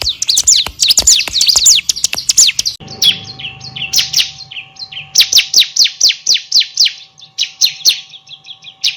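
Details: High-pitched, lively song of a bar-winged prinia, used to train other songbirds: a quick tumble of downslurred notes, then after a short break a slower series of bright, clipped chirps repeated about four per second over a steady faint electrical hum.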